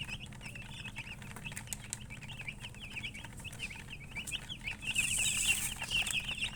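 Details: Chicken chirping: rapid high peeps, about two per second, run continuously, growing louder near the end alongside a brief rushing noise.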